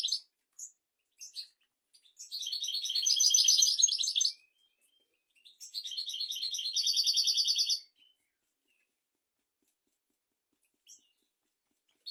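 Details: European goldfinch song, a recording meant for teaching goldfinches and canaries: two bursts of rapid twittering and buzzy trills, each lasting about two seconds, with scattered short chirps between them and long silent gaps.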